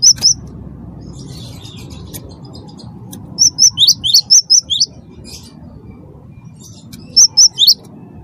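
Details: Cinereous tit, wingko type, sung to stimulate other birds: a short pair of high chirps, then a lively phrase of about seven quick down-slurred notes, and a final brief triplet after a pause.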